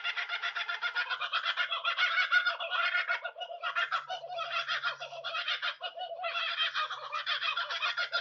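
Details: Chorus of laughing kookaburras in a territorial call announcing their location, volume shifting as they call and others join: continuous raucous, rhythmic cackling laughter with overlapping voices throughout.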